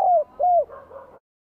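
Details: Spotted dove with a bell-like voice, Vietnam, spring 2023: the end of a phrase with two mellow, downcurving ringing coos, then a faint, softer wavering tail.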